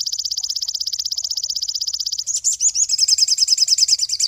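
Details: Cinereous tit master song for training songbirds: a rapid high trill that shifts midway into a shriller, more varied twittering run of quick notes, continuing without pause.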